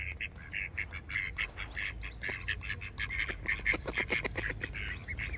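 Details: Three adult mallards, two drakes and one hen, quacking at each other at Oxford Botanic Garden on 8 July 2021: nasal, rapid, overlapping rough bursts with a low background rumble.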